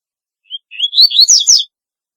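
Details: Double-collared seedeater singing a distinctive song: a short high note, then a rapid run of slurred whistles climbing from mid-high to very high pitch, ending in buzzy sweeping notes, about one second long, in quiet surroundings.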